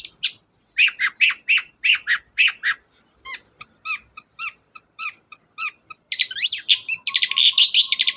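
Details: Long-tailed shrike, a kept songbird, in a lure recording meant to provoke silent shrikes into singing: a run of harsh, evenly spaced rasping notes, then quicker high chattering notes and scratchy trills toward the end.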